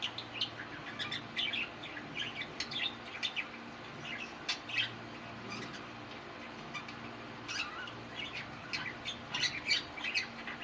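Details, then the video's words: Pet male budgies keep up busy warbling chatter, a stream of sharp chirps, squawky notes and crackly clicks in uneven bursts, with a low background hum throughout. "amazing speaking of my boy budgies"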